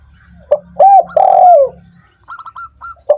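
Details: A single spotted dove phrase, used to stimulate doves that are slow to sing: a short note, an arched coo and a long descending coo over a low hum, then light high chirps.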